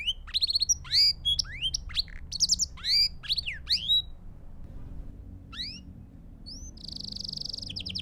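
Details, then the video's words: Belgian canary song used to train young birds: bright, high, varied whistled notes and sweeping upward and downward phrases in quick bursts. After a short pause come a few single notes, then a dense, buzzy trill near the end, over a quiet background. "Sons Para Canário Belga"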